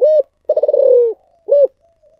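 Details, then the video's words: Spotted dove giving its 'giọng thổ sấm' style call: a clear short hoot, a long vibrating rolling coo that slides downward, then another short hoot and a faint trailing note. "chim cu gáy giọng thổ sấm chuẩn nhất"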